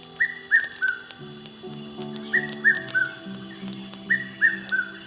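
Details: In the African bush before dark, a red-chested cuckoo calls excitedly, repeating three loud whistled notes, each lower than the last, about every two seconds, over low droning calls from other birds.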